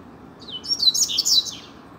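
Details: Free-flying double-collared seedeater performing in the street: a quick, high, slurred whistle running into a dense, scratchy, warbled twitter lasting about a second, against a quiet low hum.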